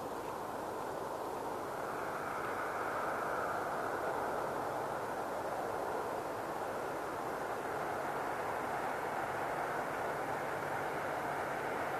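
Steady broadband roar, like a passing aircraft or distant traffic, with no animal calls heard.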